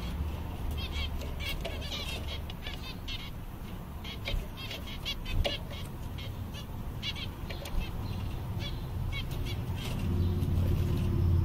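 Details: Group of seven contented zebra finches on a summer day, calling busily: rapid nasal beeping notes, many overlapping, in quick irregular runs, set against a steady low-pitched hum.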